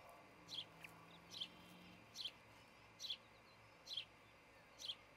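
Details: Osprey at its nest in Charlo, Montana, recorded by a nest camera on 26 June 2018 around dawn; six sharp high chirps, each slightly slurred, come about every second over a steady low hum.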